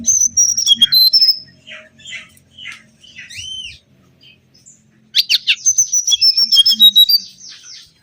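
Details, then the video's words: Lure recording of a mangrove whistler singing: a run of whistled notes opens, then soft slurred and arching notes, then a loud rapid whistled phrase of many short notes stepping up and down. "PANCINGAN SUWARA💯‼️ BURUNG KANCILAN BAKAU"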